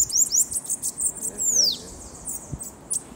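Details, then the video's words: Bananaquit, known locally as sibite, in a session meant to excite other birds: very high, thin, hissing and sibilant notes with fast sweeping slurs, repeated in rapid bursts, over low background murmur and a person talking. "PRA DEIXAR QUALQUER SIBITE LOUCO 😱 Campeada com Sibite"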